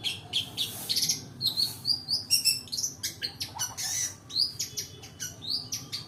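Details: Shrike lure recording with a full, varied song: rapid chirps, short whistled upslurs and buzzy high notes tumbling together in quick succession, with a faint low hum underneath.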